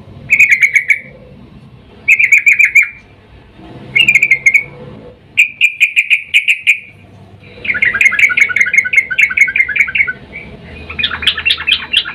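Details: A female sooty-headed bulbul in breeding condition calls to the male, a sound used as a lure: repeated short bursts of fast, buzzy chatter every couple of seconds, then a longer rattling run and a harsher closing phrase.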